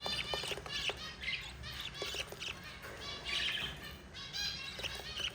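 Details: Four budgerigar chicks being fed by their yellow mother, a dense run of short, bright, harmonic chirps and chattering notes overlapping almost without pause, with a few sharp clicks under the calling.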